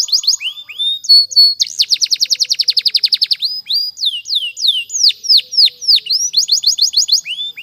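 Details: Training song of a canary: slurred whistles lead into a sustained rapid trill of many quick notes, followed by slower looping swoops and a closing burst of fast repeated notes.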